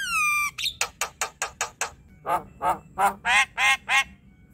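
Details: Ocehan of a Javan myna meant to stir a quiet myna into song: a long falling whistle with overtones, a row of crisp clicks, then repeated harsh buzzy squawks.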